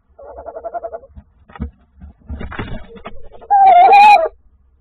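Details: Tawny owl calling on 21 January 2024: a quick run of soft, low hooting pulses, then a loud, wavering, mid-pitched note lasting under a second, with some faint rustling between.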